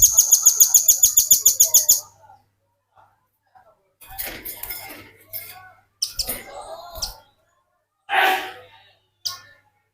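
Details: Velvet-fronted nuthatch singing hard as a lure and tutor for other birds: opens with a rapid, regular trill of about a dozen shrill notes, followed by scattered sharp chips and one lower rasping note.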